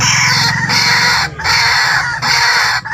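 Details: Lure recording of a white-breasted waterhen: loud, rasping calls in long bursts separated by brief gaps, with some low rumble at the start.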